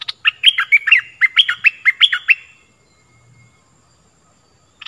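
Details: Stripe-throated bulbul singing in a 2021 recording meant for training young birds and luring wild birds. About ten quick, bright, warbled notes jump up and down over two seconds, then quiet.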